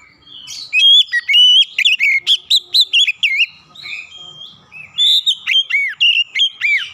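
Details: Oriental magpie-robin lure song, played to make silent birds start singing: long runs of loud whistled notes, many sweeping steeply down, a brief softer gap, then more arching slurred whistles.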